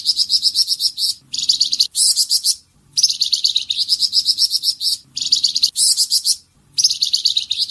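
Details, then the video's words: Flamboyan bird delivering tembakan bursts, recorded as masteran material for tutoring songbirds: shrill, fast-pulsed high trills repeating almost continuously in bursts of roughly one second, with brief gaps and faint low hum behind. "Tembakan burung Flamboyan buat masteran"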